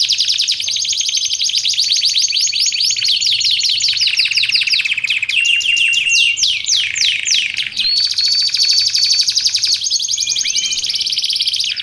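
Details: Canary song for teaching canaries and luring them in the wild: long, varied high-pitched performance of rapid falling sweeps, rolling trills and a few thin sustained whistles, unbroken throughout.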